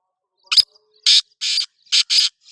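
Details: Kala teetar, the black francolin, delivering a grating call of five harsh notes: a brief clipped note, two drawn-out buzzy notes, then two quicker rasping notes, over silence.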